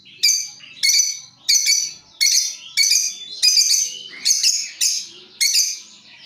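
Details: Lovebirds calling in turn as a lure: a regular series of loud, shrill, buzzy chirps, about one every half-second to second, with a clean quiet background.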